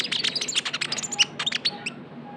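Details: Short burst of rapid high chirping from a young Javan white-eye, a lure sound, with quick squeaky notes tumbling together before fading to quiet.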